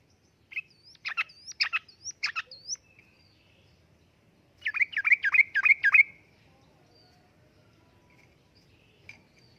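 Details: Yellow-vented bulbul singing in the energetic 'uplik-uplik' manner, a lure and tutoring recording for caged birds: spaced sharp chirps with high squeaky notes, then a rapid bubbling run of repeated liquid notes, followed by quiet.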